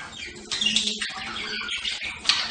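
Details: Budgerigar uttering rapid scratchy chirps and twittering notes, ending in a sharp high squeak.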